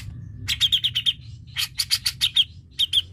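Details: Grey-cheeked bulbul song played to encourage a reluctant bird to sing: three quick rattling bursts of sharp, evenly spaced notes, each bursting out loudly, over a faint low hum.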